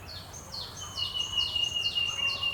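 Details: Two black-hooded oriole chicks alone in their nest without their parents at Purbasthali Bird Sanctuary, India, beg with thin, high, down-slurred squeaks repeated about twice a second.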